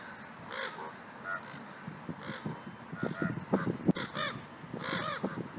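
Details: Two pairs of ravens fighting, giving rapid, rough, croaking caws that crowd together in a noisy, irregular tumble, with louder clustered bursts near the middle and a final loud cry.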